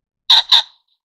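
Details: A Taiwan ring-necked pheasant (Phasianus colchicus formosanus) gives two loud, harsh, grating notes in quick succession, a raspy double squawk under half a second, with silence around it.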